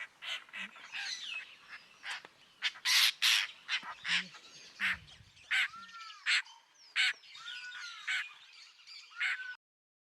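Harsh, rasping squawks from a Lilac-breasted Roller come in irregular bursts, more than one a second. Softer arched whistles, probably from another bird, sound between them.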